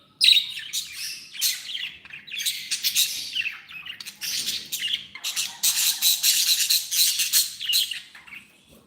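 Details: Happy pet budgies chatter in loud raspy bursts of squawks and warbling chirps, repeated almost without pause for several seconds.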